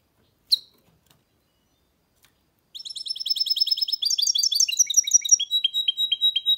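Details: Goldfinch mule, a goldfinch hybrid, in a fast song phrase: rapid high twittering notes running about three per second, shifting into lower descending chirps at the end, after a single sharp call and a silent pause.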